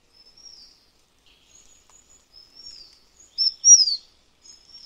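Taiwan fulvetta giving very high, thin notes: faint wispy slurs at first, then two louder sharp, down-slurred calls near the end.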